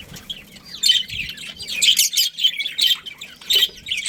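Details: Australian parrots, budgerigars in a breeding colony, give bright, rapid chirps and short warbles in quick bursts, several birds overlapping, with soft low rustles underneath.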